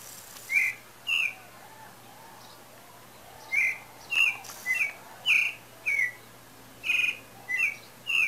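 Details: Pale-breasted thrush singing, as the owner believes breeding season is approaching: short, clear whistled notes at a mid-high pitch, repeated in loose bursts about every half second to second, over a faint low hum.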